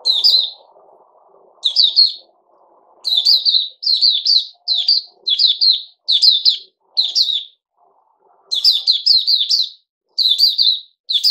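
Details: Bulbul known as Puteh Raja, recorded 08052021 after fruit juice and a mealworm: a long run of short chirpy warbled phrases, mostly one per second, with faint low background rumble early on.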